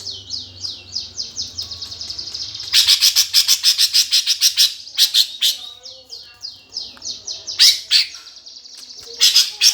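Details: Greater green leafbird in fighting song, played to spur contest birds: a run of high downslurred whistles gives way to dense, rasping chatter bursts repeated about three per second, then more whistles and harsh notes.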